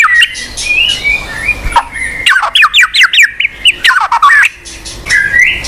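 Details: White-rumped shama (murai batu) song for coaxing a quiet bird: a run of quick slurred whistles and squawky notes against a steady hiss of background noise.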